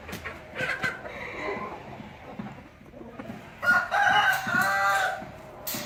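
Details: Rooster crowing: a short, partial crow early on, then a loud, full, harsh cock-a-doodle-doo of about one and a half seconds, over faint scattered clucks and background noise.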